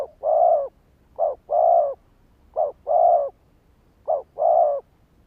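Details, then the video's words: Luring call of a spotted dove, meant to trigger wild males. It gives deep, rounded coos in pairs, a short note then a longer steady one, repeated four times at an even pace against a quiet background. "Tiếng chim cu gáy kích bổi"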